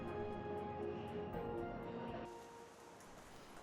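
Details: Sustained instrumental music tones play, then soften into a low background wash, with no animal voice.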